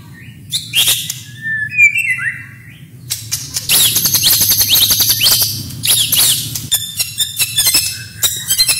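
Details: White-rumped shama masteran training song with isian, tembakan and roll: a few scratchy slurred notes, then sustained rapid high trills and harsh rattles, and a final run of quick ticking notes.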